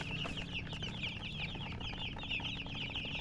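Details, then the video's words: Baby chickens peeping nonstop, with high, thin, falling chirps tumbling over one another in quick succession. A faint low hum persists in the background. "silly chicken chirping sounds"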